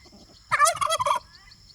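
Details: Pastured domestic turkey foraging free-range on an off-grid homestead gives one loud, rapid, rattling gobble lasting under a second, rough and bubbling in quality, with quiet background before and after.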